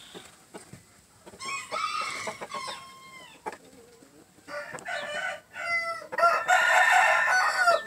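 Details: Green-legged red gamefowl near a jumbo pheasant, with clucking and drawn-out crows that rise and fall, the last crow loud and sustained over background clatter.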